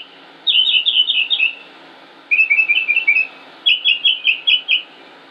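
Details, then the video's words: Male northern mockingbird singing in Concord, North Carolina, United States, on 25 May 2016, never repeating a song: three bursts of quick, high chirping notes, each burst a different phrase repeated four to six times, separated by short pauses. "Northern Mockingbird Just Sings and Sings and Sings"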